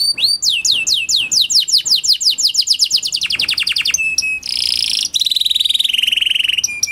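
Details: Singing kenari panda canary, used as a lure to start quiet canaries singing: rapid series of descending sweeps that speed up into a tight rattle, followed by buzzy trills and a steady whistle.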